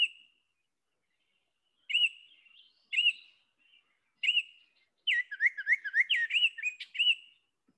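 Baltimore Oriole singing clear, flutelike whistled notes, first in short spaced phrases, then a quicker run of rising and falling whistles near the end.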